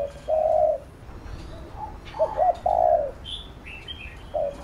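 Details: Spotted dove giving its coo for training a decoy bird: a long low hoot, then two short notes and another drawn coo, with light high chirps of other birds.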